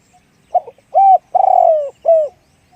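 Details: Deep-voiced spotted dove giving a one-'kuk' cooing phrase: a brief opening note, a rounded arched coo, a long pulsing coo that drops in pitch, and a final falling coo, with little else audible.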